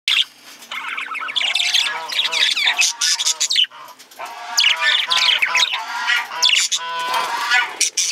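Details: Male budgerigar, also called parakeet, giving a busy chattering warble of squawks, chirps and fast harmonic stacked notes, nearly continuous across the clip with a short quiet gap near the middle.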